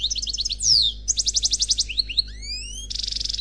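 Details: European goldfinch song in the Khalwi style, from a single (unpaired) bird, taken from a CD: quick high twittering trills, sharp down-slurred notes, rising whistled glides and a dense buzzy burst at the end. The background is quiet with a low hum.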